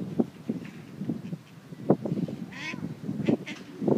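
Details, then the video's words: Quacking ducks produce loud, harsh, nasal calls spaced irregularly about every half second, with a higher squeaky call in the middle of the sequence. "Quacking Ducks"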